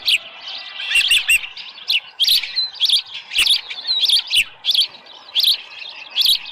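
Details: Osprey at the Dunrovin Ranch nest on 24 July 2018, around 6:52 in the morning, with a headless fish. Series of high, sharp chirps given in quick bursts, some slurred and rising, with short gaps between phrases.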